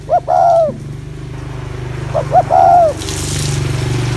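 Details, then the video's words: Two spotted dove phrases, each quick double notes and a long dipping coo, meant to excite males; a constant low engine-like drone and a burst of hiss near the end run behind. "Tiếng Chim Cu Gáy Gù Kích Bổi Mau Lên Lửa"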